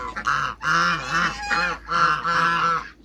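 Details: Three drawn-out, loud, nasal honks, each roughly half a second to a second long with short breaks between, from a pair of African geese kept in a backyard with other waterbirds.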